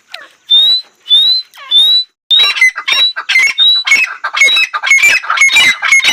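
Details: Female painted francolin opening with three clear, rising whistled notes, then breaking into dense, rapid, harsh squawking that carries on to the end.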